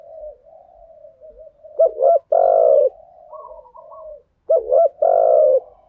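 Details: Spotted dove decoy lure cooing in thúc gù and gáy gọi styles: soft wavering background coos, then two strong phrases, each a stuttering double note followed by a long, full, slightly falling coo.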